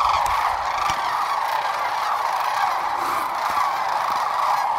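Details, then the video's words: Roughly 12,000 sandhill cranes at Whitewater Draw on February 19, 2021. Unbroken din of rolling, bugling calls from countless birds blending into a steady roar. "Sandhill Cranes at Whitewater Draw"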